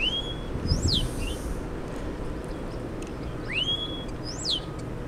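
A starling gives two bursts of high, slurred whistles, some sliding down and one rising sharply, about three seconds apart, over a low rumble of background noise.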